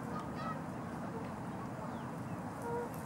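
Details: Canada goose filmed in Los Gatos, California, USA, on 16 March 2019, giving short nasal honks, a few scattered across three seconds over a steady low rumble of background noise.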